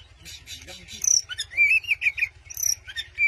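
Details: White-rumped shama singing to provoke a rival, a training song from Indonesia: chirpy notes give way to loud, clear whistled phrases that rise and wobble, then a short high whistle and a final whistled note.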